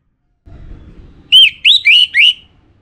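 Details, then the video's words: Orange-headed thrush, a caged contest bird in northern Bali, Singaraja, gives four loud slurred whistles, each dipping then rising, in quick succession after a short stretch of soft low rumble. "Spektakuler Kicauan Burung ANIS MERAH"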